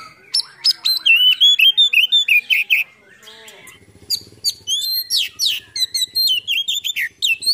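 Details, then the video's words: Kacer, or Oriental magpie-robin, spreading its tail cobra-style while pouring out a varied song: fast strings of sharp high notes and upward-hooked whistles, a short lull with low rattling noise, then dense chattering phrases again. "PANCINGAN KACER ISIAN FULL BUKA EKOR NGOBRA"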